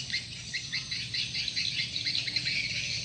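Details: Lure sound for swiftlets: crisp, evenly spaced high chirps, about two or three per second, stacked in a bright twittering chorus over a faint low hum.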